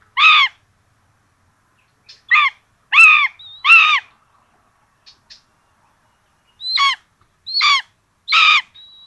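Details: Common Buzzards at a nest with two young at Tiszalök, Hungary, on 26 June 2022, with a rabbit for breakfast, giving short, harsh, squealing calls in uneven bursts, sometimes paired, with a thin high whistle between some calls.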